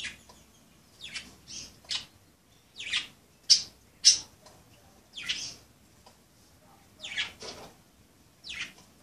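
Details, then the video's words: Pet budgerigars playing together, giving a run of short, harsh, high chirps in irregular bursts about a second apart, some sharper squeaks among them, in an otherwise quiet room. "Pericos australianos jugando"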